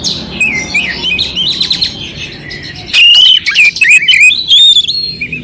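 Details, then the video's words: Oriental magpie-robin singing a clear song with rough filler phrases, meant to raise the excitement of a cold, quiet magpie-robin: scratchy chatter first, then loud rapid whistled warbles and harsh notes tumbling quickly. "Suara Kacer Jernih isian kasar Cocok untuk masteran untuk menaikkan emosi kacer dingin"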